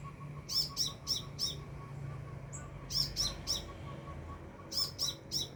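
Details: Sunbird at about two and a half meters, delivering three clear groups of four sharp, very high chirps spaced a second or two apart, with a short whistle between; quiet background.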